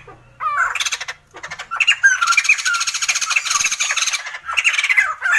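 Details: Sumatran laughingthrush giving a laughing song: harsh, buzzy squawking notes in dense bursts with a few rising, hooked whistles, pausing briefly before a loud, continuous cackling stretch and a final burst.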